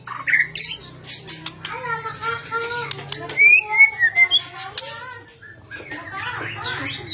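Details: White-rumped shama singing to provoke other shamas into song: a mix of whistled slurs, buzzy rattling notes and sharp clicks in a busy, irregular sequence over a faint hum.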